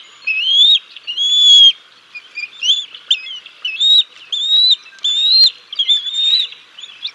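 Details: Decorah North nest, 6 May 2022: wild bald eagles call as the male feeds the chicks a fish and the female arrives to take over; high rising whistles repeat about once a second, some short and clipped.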